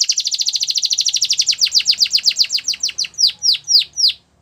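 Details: Russian canary singing a training song: a fast series of bright descending chirps, about four per second, slowing into wider downward sweeps near the end.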